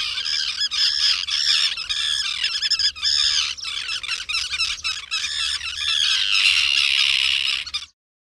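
A crowd of common terns calls at once: harsh, grating, high-pitched squawks overlapping several times a second, with no other sounds.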